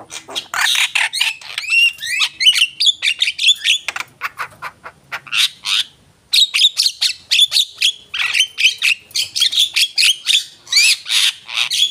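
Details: Javan myna in full, varied song, a captive bird; dense harsh chatter mixed with rising whistles and rattles, with a short break near the middle before the singing goes on.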